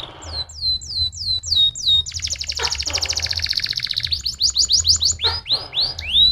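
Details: Canary singing, played to get other canaries singing: rapid falling whistled notes, a long dense buzzy trill, then rising and falling slurred whistles, with steady low hum beneath.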